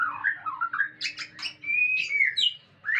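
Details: White-rumped shama during mating, with rolling whistled notes, harsh buzzy bursts, then a long clear level whistle sliding into high, bright phrases.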